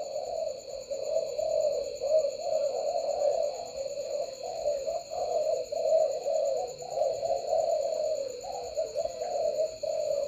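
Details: Many spotted doves at a breeding farm late at night with lights on coo together in a dense, unbroken chorus of low, soft notes, likened to a beehive, over a steady high electrical whine.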